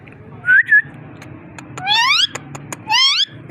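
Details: A parrot's brief two-part whistle followed by two rising, harmonic-rich whistled sweeps about a second apart, with clicks and a low background hum.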